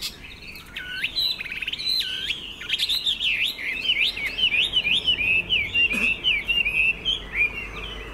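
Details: Caged Chinese hwamei, kept over two years and mostly tame, singing strongly on an overcast day: loud whistled phrases with looping up-and-down slurs, then a fast run of repeated twisting notes, about two per second, with faint background hiss.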